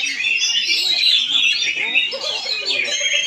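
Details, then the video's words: Oriental magpie-robin performing in Palangkaraya, Central Kalimantan, Indonesia: a dense, fast stream of bright whistles, trills and chattering phrases, continuous throughout, with faint voices of people talking underneath. "PENAMPILAN APIK KACER"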